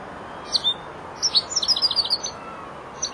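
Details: Four-month-old European goldfinch practising the ending of its song: two opening chirps, then a quick string of high tinkling notes, and a final chirp.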